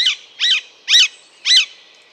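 Alexandrine parakeet giving four loud, harsh, screechy calls, each a short descending squawk about half a second apart.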